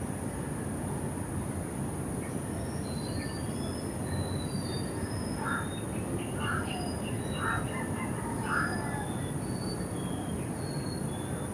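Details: Naked-faced spiderhunter calling: a run of four short, sharp notes repeated about once a second, over steady background hiss, a constant high insect-like tone, and scattered thin, higher whistles from other birds.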